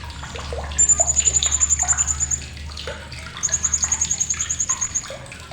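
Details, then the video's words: Blue-crowned hanging parrot giving sharp chattering, recorded as a tutor track for contest songbirds: two long, very high, rapid rattling trills of evenly spaced ticks, the first near one second and the second after three seconds, over a clattery, splashing background. "CRECETAN TAJAM BURUNG SRINDIT"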